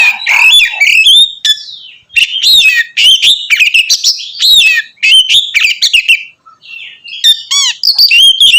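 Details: Oriental magpie-robin in loud, nonstop song aimed at provoking other magpie-robins; long stretches of fast varied whistles, trills and chattering notes, broken by short pauses, including a quick series of upswept whistles near the end.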